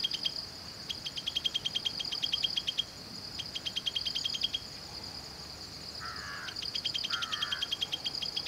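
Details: Jungle prinia at Valley School, Bangalore, Karnataka, India, giving rapid bursts of dry, high ticking notes several seconds long over a steady high insect drone, with two brief lower warbled notes near the end.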